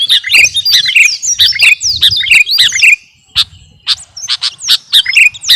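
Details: Training song for captive birds by a kutilang garuda sooty-headed bulbul: quick, regularly repeated swooping chirp phrases for three seconds, a brief silence, then a few more sharp notes.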